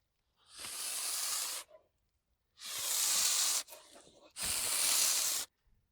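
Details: Domestic goose; hiss; feeling threatened or establishing dominance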